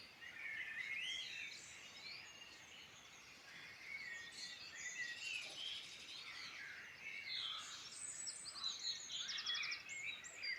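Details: Chorus of birds in the Irish Midlands, Ireland, with many overlapping chirps, warbles and whistled notes, a fast buzzy trill near the end, and faint background hiss throughout.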